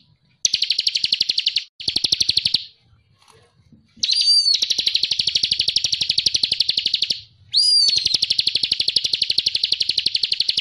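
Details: Lively Bar-winged prinia (ciblek cristal) singing continuously, used as a tutor for songbirds. Short bursts of rapid high trilling, a quiet pause, then longer buzzy trills each introduced by a sharp rising whistled note.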